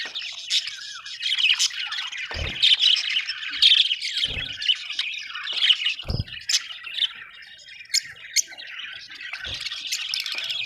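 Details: Budgies chatter constantly with scratchy squawks, sharp clicks and warbled chirps, several low thuds heard among the calls, the flock noise easing slightly toward the end.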